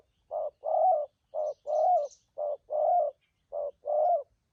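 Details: Fast 'thúc gù' cooing by newly wild-caught spotted doves in Vietnam. Four clean pairs of soft low notes, a brief coo then a fuller longer one, spaced evenly in a quiet setting.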